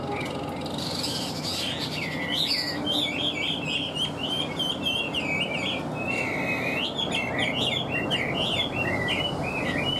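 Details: Caged Chinese hwamei in continuous song, a fast stream of varied whistled and warbled phrases with rapid trills and repeated motifs, over a steady low background hum.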